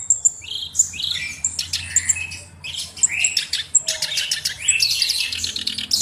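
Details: Black-browed reed warbler in rapid, restless song: scratchy chatter, dry rattles and piercing high whistles tumbling together with barely a break.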